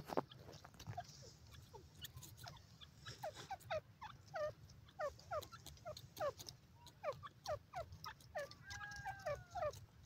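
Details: Grey francolin, called bhura tetar locally, giving a dense run of short, rising, chirped notes in quick succession, several overlapping, with a low rumbling background hum throughout.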